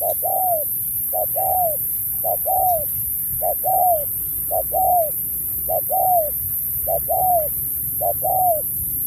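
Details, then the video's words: Spotted dove in a 2024 singing contest, Thúc style with Bo phrases: eight evenly spaced phrases, each a quick short note followed by a curving, falling coo. "Cọp Víp 2024, Bài lối Thúc kèm Bo tráo trở nước như chim ngoại"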